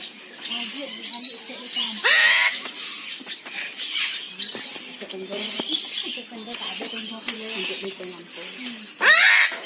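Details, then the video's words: Eclectus parrot, a species from Papua New Guinea, Indonesia and Australia, gives two harsh, rasping squawks with rising sweeps, one near the start and one at the end, between stretches of murmuring, voice-like chatter. "Keindahan Nuri Bayan - The Sound Of Birds Is Soothing"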